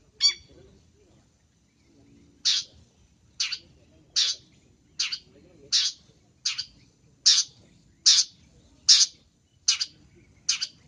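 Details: Lure recording of a long-tailed shrike: one sharp note, a pause, then a steady run of scratchy, buzzy bursts spaced just under a second apart.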